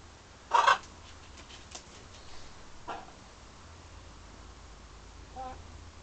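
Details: A London house parrot flirting with itself in a mirror and with outside birds makes one sharp, loud squawk, followed by a few faint clicks and soft notes against low room noise.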